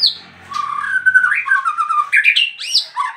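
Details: Caged bird bursting into nonstop song right after its cage cover is opened; a varied run of whistled phrases, slurred notes rising and falling, then sharper high chirps and buzzy accents toward the end, in a quiet room.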